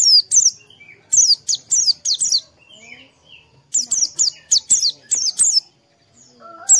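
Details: Oriental white-eye chirping used to prompt caged birds to sing in the morning; energetic high-pitched downslurred notes in quick bursts, broken by a gap with soft low whistles from other birds.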